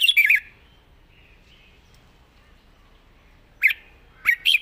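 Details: A young caged red-whiskered bulbul gives short bursts of clear, jumpy whistled notes. One phrase opens the recording, then there is a long silence before two more brief phrases near the end.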